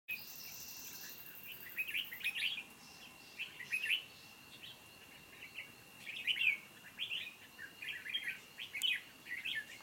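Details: Red-whiskered bulbul decoy singing competitively at a trap set on 29 July 2020 in Vietnam to lure wild birds: short, bright warbled phrases repeated every second or two, with a faint steady high tone throughout.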